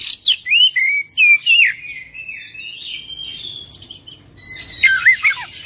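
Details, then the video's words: Oriental magpie-robin pouring out varied song: loud whistled phrases sliding up and down, a long sustained high note in the middle, then twittering notes near the end. "Kacer Full Isian ngerol gacor dorrr"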